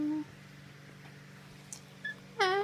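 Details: Umbrella cockatoo singing the phrase "love you"; a brief harmonic, slightly falling tonal call comes near the end after a short steady note at the start and a few faint chirps, over a low constant hum.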